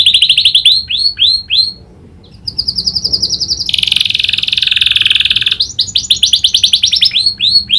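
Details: Lively canary trained to copy a prinia's clicking call: bursts of rapid sweeping chirps, a long dense buzzing trill in the middle, then more quick chirp series.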